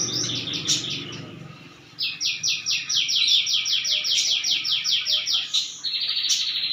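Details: Canary singing energetically: a short, warbled opening, a pause, then a long, steady, rapid trill of high chopped notes, followed by a buzzy, sustained high phrase, with faint clicks throughout.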